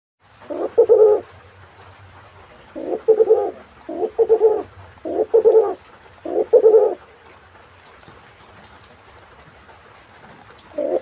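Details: Hybrid of spotted dove and pigeon calling. Low, hoarse, two-part coos come in bursts one to two seconds apart. A long pause follows before a final coo begins, over a faint low hum.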